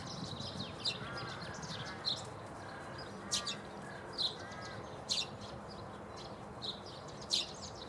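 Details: At Bundek, Zagreb, Croatia, on 9 March 2015, a Eurasian tree sparrow gives sharp, high single chirps roughly once a second, interleaved with lower, grating, drawn-out calls from other birds.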